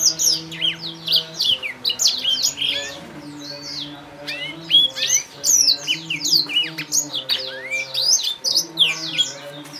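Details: Clear-voiced young Blacktrout Somerini finches at a Klaten finch breeder give a busy stream of sharp, high chirps and quick slurred notes in bursts, over a faint low droning hum.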